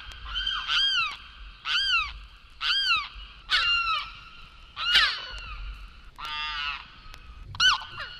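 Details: Limpkin from eastern and central North America giving loud, wailing, nasal cries with a harsh rattling edge, repeated about once a second with brief pauses between calls.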